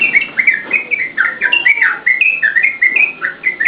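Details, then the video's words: Yellow-vented bulbul singing prolifically, a recording meant to lure and train cage birds: short bubbly whistled phrases repeat in quick succession, steady and lively throughout. "SUARA TRUCUKAN GACOR UNTUK PANCINGAN DAN MASTERAN"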